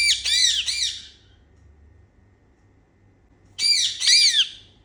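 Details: Indian ringneck parakeets at play indoors making happy sounds: a pair of harsh, arched squawks, a pause of about two seconds, then three more loud, rasping squawks.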